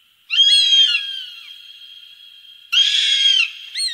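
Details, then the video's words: Hawk calls used as a bird deterrent: a loud, harsh, drawn-out scream, a lingering echo, then a second rasping cry. "Tiếng Chim Ưng đuổi chim hiệu quả 100%"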